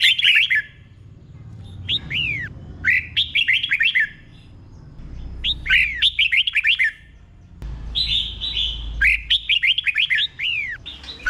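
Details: Red-whiskered bulbul 'berl' song, slow and distinct, played for caged birds to learn: repeated phrases of rapid, curving whistled notes about every two seconds, over a low rumbling background.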